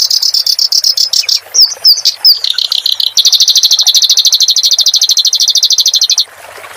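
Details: Clamorous reed warbler singing, meant for tutoring cage birds: choppy high chatter and a few slurred whistles, then a long, steady, very fast rattling trill lasting about three seconds before stopping abruptly.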